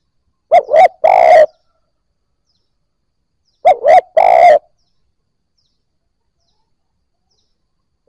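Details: Spotted dove, newly caught and just beginning to coo, for triggering calls in other new birds: two three-note coos, quick double hoot then a longer grating note, separated by a three-second pause.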